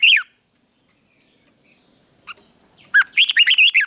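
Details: Red-whiskered bulbul fighting song during morning training: a single descending whistled note, a pause with a faint chirp, then a lively run of five or six looping, rising-and-falling whistles.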